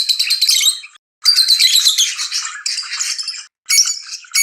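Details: Lovebirds giving excited mating chirps: long, rough, squawky bursts of high chatter broken by two short silences, ending in sharp, clipped notes.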